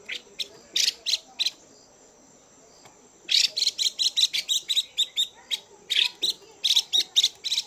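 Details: Chùi calling from a female Chinese hwamei that excites males: dense, rasping, buzzy notes fired in rapid uneven series. A short quiet gap comes after the opening bursts, then a long unbroken chattering run follows.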